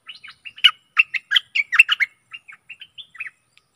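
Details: Stripe-throated bulbul decoy song aimed at aggressive wild birds. A lively string of bubbly, chattering whistles swells in the middle and fades into a few soft, short notes.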